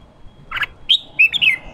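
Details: Red-whiskered bulbul in the 'ché' training style for wild-caught birds: a brief buzzy note, then a bright upslurred whistle and a few quick, clear slurred whistles within under two seconds.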